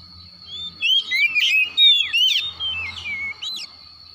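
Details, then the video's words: White-rumped shama in the morning, a caged bird recovering from stress: a short run of slurred whistles and twittering notes beside a steady high tone and faint low hum. "PANGGILAN KACER PAGI HARI"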